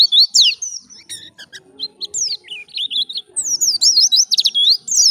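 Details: White-eye singing energetically in wild 'ngalas' fashion as a lure: sharp descending whistles, a brief stutter of clicks, short rising slurs, then a dense fast burst of thin swooping notes.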